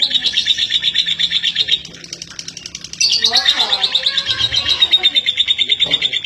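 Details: Female lovebird from East Lampung, Indonesia, kept as a songbird and noted for long-duration singing: dense, rapid high-pitched chattering trill running continuously, a brief lull around two seconds, then resuming just as fast and sustained.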